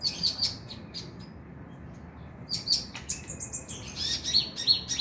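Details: High chirping Oriental magpie-robin song, played to encourage singing at night: a quick cluster of notes, a two-second pause, then dense rapid chirps and buzzy whistles.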